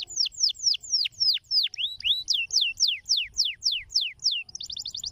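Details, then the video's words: Canary song with a crystalline tone: a fast series of clear whistled notes sweeping downward, about four per second, ending in a quick high trill. "Dominar canários som cristalino especial"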